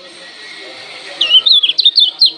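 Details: A Lombok lemon-bellied white-eye issuing a provoking challenge call: after faint hiss, a quick run of about six high, slurred, bouncing chirps.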